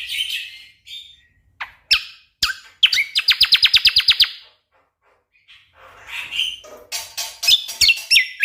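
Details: Energetic Orange-spotted bulbul singing, tutor recording for songbird contests: abrupt high chips lead into a long rapid rattle of about twelve evenly spaced notes, a pause, then a burst of warbled whistles and sharp chirps.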